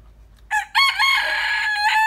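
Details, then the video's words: A đại kê rooster, described as crowing beautifully, gives a brief lead-in note followed by a prolonged, rich, steady crow lasting about 1.3 seconds before stopping sharply, with little else audible. "Gà Gáy Hay"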